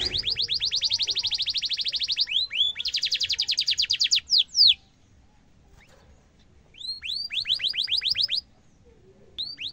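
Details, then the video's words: Canary in lively song used as a master for young canaries: long rapid trills of repeated chirps broken by swooping whistles, a silent stretch, then another fast trill burst and a final chirp. "kenari gacor cuit cuit ngerol tajam suara kesukaan semua kenari efektif buat masteran kenari muda"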